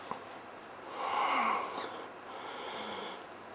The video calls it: Cape Sugarbird